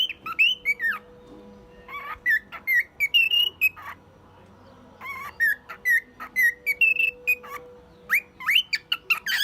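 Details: Male cockatiel, one year old, a pet singing tunes and mimicking a car alarm: clear whistled notes near middle pitch, some sliding upward, in quick bursts separated by short pauses, with a steady faint electrical hum behind.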